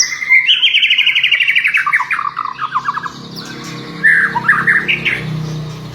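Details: White-rumped shama song meant to draw a reply from other shamas: rapid buzzy trill descending in steps, a pause, then short rising whistled notes.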